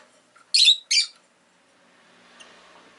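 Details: A rosy-faced lovebird, one of two new birds kept indoors, gives two shrill, harsh chirps in quick succession, then falls quiet over faint indoor room noise.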